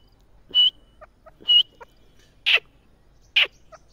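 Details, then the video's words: Partridge calling with four loud, abrupt notes, roughly one per second. The first two are sharper and ringing, the last two harsher and broader, and soft faint notes sit between them. "teetar ki boli | teetar ki awaaz | teetar ki voice"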